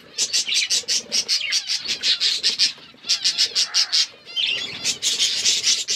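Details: Aviary budgerigars in a forested enclosure giving rapid runs of high, dry chirps, pulsing in quick regular groups, broken by a short quiet gap before the chattering resumes.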